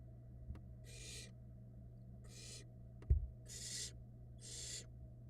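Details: Barn owl chicks in a nest box camera in Florida while their mother brings food, giving four airy rasping hisses among sharp clicks and a thump, with a steady low hum.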